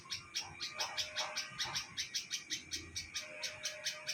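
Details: Bulbul nesting in a neem tree, Hyderabad, Sindh, Pakistan, uttering a regular series of short, scratchy high chirps, close to three per second, over a constant faint tonal hum.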